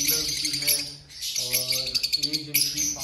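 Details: Many small aviary birds in Rawalpindi chirp at once in a dense, high, twittering chorus of quick overlapping notes, over a low steady humming drone.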